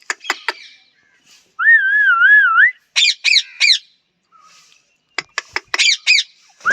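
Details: Sharp clicks, then a sustained wavering parrot whistle, a trio of rasping squawks, more clicks, and a final pair of squawks ending on a rising whistle.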